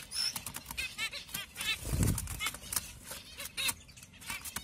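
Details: Pastel zebra finches give quick, nasal, trumpet-like beeps in rapid bursts, with wing flutters and a soft thump.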